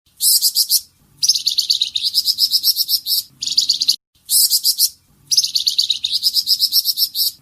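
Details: Flamboyan songbird singing in tembakan style, used as masteran for training other songbirds: very high, rapid chattering trills in dense bursts of about one to two seconds, separated by short pauses, with faint low background hum.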